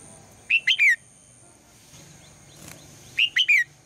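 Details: Red-whiskered bulbul female giving her morning call meant to prompt the male into song; a brisk three-note whistled phrase heard twice, about three seconds apart, the notes sliding downward, with a faint rustle between phrases.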